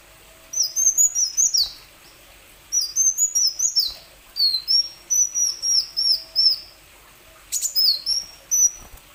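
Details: Plain sunbird song meant to stir other sunbirds into singing: several bursts of high, thin, sweeping chirps, each burst a rapid string of four to seven notes separated by short pauses, with a brief faint click near the end.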